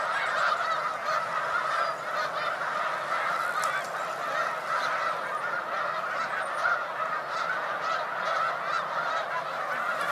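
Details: Rafts of Snow Geese on Cayuga Lake, New York, during a spring migration stopover on 20 March 2021 keep up a thick, ceaseless babble of nasal honking from a huge flock.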